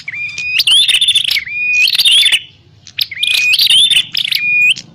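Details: Prenjak klawu (prinia) calls used as a lure for bird trapping: loud bursts of sharp chirps and buzzy notes with long level whistles, in three phrases separated by short pauses.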